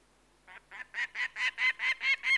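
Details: Peregrine falcon giving a series of harsh, nasal, rasping calls, about eight in just over two seconds, growing louder after a quiet start; strong harmonics, no other clear sounds.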